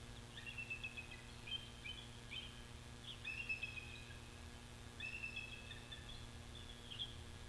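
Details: Bald eagle at its nest in Big Bear Valley, filmed by a live nest cam on the afternoon of May 26: thin, high chittering chirps in short bursts, repeating every one to two seconds, over a steady low hum and faint background noise.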